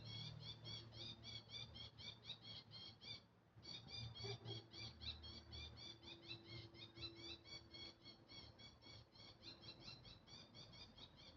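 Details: Bird hidden among surrounding trees, heard but hard to spot: a long run of rapid, high, evenly spaced chirps, around four per second with a brief pause, over a constant low background drone.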